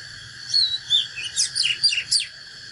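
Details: Oriental magpie-robin, a natural bird giving fighting song, a rapid run of clear whistled notes with sharp upward and downward sweeps over about two seconds, against a steady high electronic-like hum.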